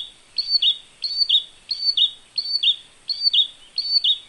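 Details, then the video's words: An olive-backed tailorbird sings a high, sharp two-note phrase six times, about every 0.7 seconds, over a faint high hiss. "Olive Backed Tailorbird Sounds"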